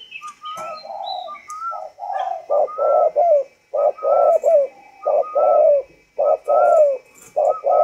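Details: Spotted dove with the northern 'thunder voice', a tame bird from Vietnam, delivering a long run of deep, rolling coos in tight groups, with whistled notes weaving through.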